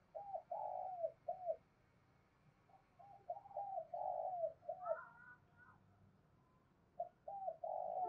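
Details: Spotted dove calling to stimulate other doves, heard quieter over a low steady background hum; repeated phrases of hooked coos with a long drawn falling coo, brief higher notes between phrases.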